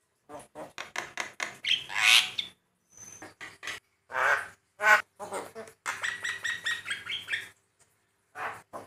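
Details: Varied song from a male Javan myna whose variations set other mynas calling. Harsh clicks and rasps mix with buzzy squawks, a brief pure whistle, and a run of stacked nasal notes, with pauses between phrases.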